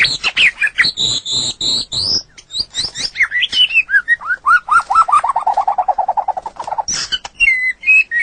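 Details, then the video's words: White-rumped shama song used as a training master for songbirds: high ringing whistles and harsh notes open into a long, rapid, descending trill of repeated notes, ending in bright whistles. "Ocehan Suara Burung Murai Batu"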